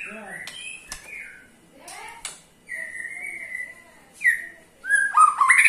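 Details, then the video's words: White-rumped shama ketrekan, used to make other shamas sing. Mostly scattered whistles and one long level whistled note, ending with a short loud rattling burst. "KETREKAN SAKTI!! || MURAI BATU MANAPUN PASTI TIDA MAU DIAM IKUT GACOR"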